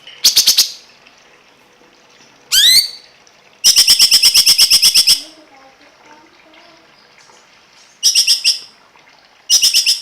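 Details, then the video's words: Cungkok song given as short bursts of rapid, very high buzzy notes, with one sharply rising slurred note, phrases separated by brief pauses. "masteran burung cungkok"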